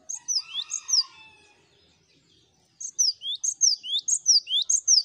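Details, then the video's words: Master recording of several cinereous tits singing at once: sharp high whistles falling then climbing, a short burst, a pause, then a longer, steady string of repeated two-part phrases. "Masteran Gelatik Batu Ombyokan Gacor Bikin Gampang Bunyi"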